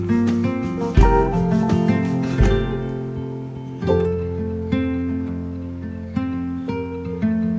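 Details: Plucked acoustic guitar playing strummed chords and picked notes, with sharp attacks decaying between strokes; no animal sound heard.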